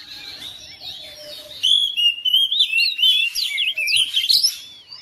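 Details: Quiet opening, then a home-kept oriental magpie-robin bursts into answering song: loud, rapid, melodious whistling with rising sweeps and squeaky flourishes, responding to another bird.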